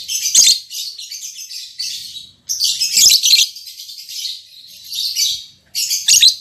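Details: Caged lovebirds, an albino MM male and a lutino MM female newly put together as a pair, give high, harsh chattering bursts in three loud clusters with short quiet gaps between them.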